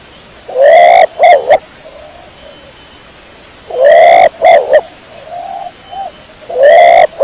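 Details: Repeated pigeon coos: three forceful phrases about three seconds apart, each a broad swelling note and a couple of clipped pulses, with faint soft coos between.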